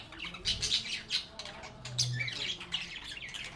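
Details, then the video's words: Happy budgies chatting and playing in a calm setting: short, harsh squawks and chirps in quick bursts, with a low steady hum running through the background. "Relaxing Sounds of Singing, Playing, and Talking Parakeets"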